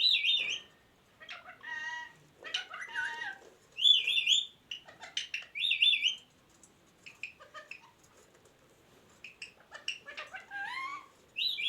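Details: Ringneck parrot talking: bursts of sharp high chirps and buzzy, harmonic squawks, mixed with short speech-like phrases, scattered through the recording with brief quiet gaps.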